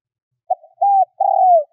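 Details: Cooing of a decoy spotted dove kept to attract wild doves. A quick opening note leads to a short arched coo and then a longer coo that glides gently downward. No other sound is heard.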